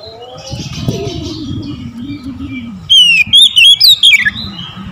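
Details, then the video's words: Oriental magpie-robin in the morning, a single loud phrase of rapid whistled notes bending up and down near the end, after a quieter stretch with low murmuring and faint twitters. "OCEHAN KACER DI PAGI HARI"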